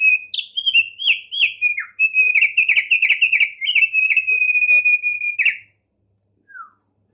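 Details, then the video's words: Loud, high whistled song of a tame Thick-billed heleia: looping slurred notes merge into a long sustained whistle, accompanied by rapid dry clicks, then silence broken by one soft downslurred note. "Opior Paruh Tebal, Jinak Gacor"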